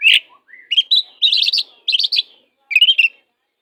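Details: Oriental magpie-robin, a caged 'kacer' bird kept as a tutor for other birds, sings varied loud whistled and chattering phrases, some rising and slurred, in short bursts separated by brief pauses.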